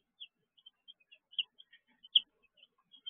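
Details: Chicks in a brooder, evening: soft, scattered high peeps, one louder sharp note in the middle, otherwise quiet.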